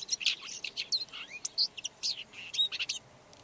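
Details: Lanius collurio, the red-backed shrike, gives a busy scratchy warble of sharp high chips, short slurred whistles and buzzy notes, packed closely together over a few seconds.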